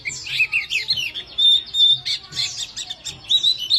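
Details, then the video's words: Scratchy, chattering white-eye song mixing rapid warbled twitters with a few clear, level, high whistles, continuous through the recording. "pleci gacor mp3"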